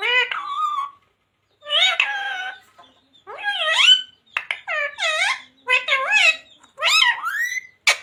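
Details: Talking pet parrot mimicking the chants "Radhe Radhe" and "Sita Ram": a run of rising, wavering, voice-like syllables in uneven bursts, with a longer pause early on.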